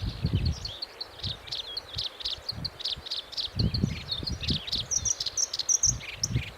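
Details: Black-browed reed warbler singing: a run of short, high, scratchy chattering notes, repeated rapidly and varied in pitch, over low rumbling wind noise and bursts of rustling.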